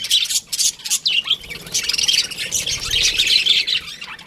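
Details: Chirping of baby budgerigars kept in an aviary, a steady mass of thin high twitters and squawks from a crowd of birds, with a few clearer rising whistles.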